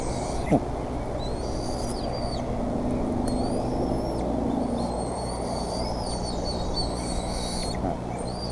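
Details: Bald eagles at the Decorah nest on 28 May 2014 as a fish is delivered: high, thin, whistled piping notes in short strings, some drawn out and level, over a steady low rumbling background noise.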